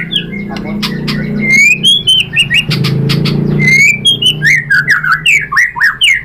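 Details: White-rumped shama singing a lure song meant to provoke other birds to sing; varied loud whistles, slurred phrases and chattering notes, ending in a fast rhythmic run of rising and falling whistles, over a steady low hum.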